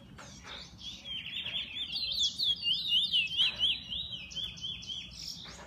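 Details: Pet bullfinch singing a sustained run of high, rapidly repeated zigzag warbled notes, with sharp clicks at intervals.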